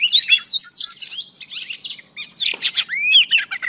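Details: Female Oriental Magpie Robin in song meant to stimulate a male, delivering rich varied phrases: bright whistles, buzzy chatter and rising-falling slurred notes in quick succession, with one brief pause mid-phrase.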